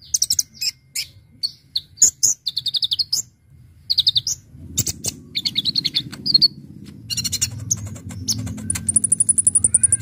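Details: Brown-throated sunbird singing actively with a full, varied song used to lure birds: sharp, high chirps and short trilled bursts in quick series, ending in a long thin high trill, over a low mechanical hum.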